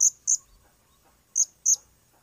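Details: Blue-crowned hanging parrot uttering four piercing, high, clipped chirps in two spaced pairs, each note short and bright, over faint low background noise.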